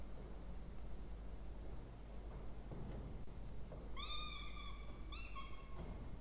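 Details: Two Peregrine falcon chicks fed at a water-tower nest box, Orange, New South Wales, Australia, 20 October 2024; scuffling and soft rustles, then two short harmonic whines close together near the end, over low hum.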